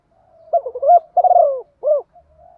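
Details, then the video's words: A single spotted dove phrase in the 'thổ' style used to stir wild-caught birds to fight and sing: faint lead-in, a rising stuttered coo, a long wavering falling coo, then a clipped arched final note. "cu gáy giọng thổ pha thúc đấu dút chim bổi nhanh gáy, và về cội nhanh hơn"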